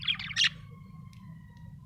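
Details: A happy budgie lets out one brief, scratchy chirping burst, followed by quiet with a faint tonal hum.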